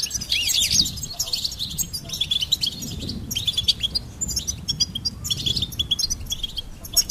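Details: Rapid, liquid goldfinch twittering, high tweets tumbling in bursts with short silences between flurries.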